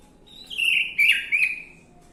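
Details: Orange-headed thrush song used as a lure to prompt a bird to sing: a short whistled, slurred phrase around mid-high pitch, two loud bursts within two seconds, fairly clean background.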